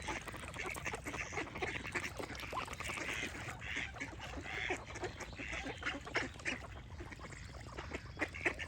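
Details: Ducks quacking and honking in a busy, overlapping chorus of harsh, nasal calls mixed with birdsong and a constant low hum.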